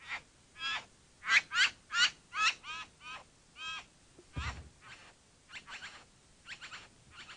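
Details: Bowerbird calling: a quick run of grating, scratchy notes, several per second, louder in the middle, trailing into softer chattering notes and a low thump.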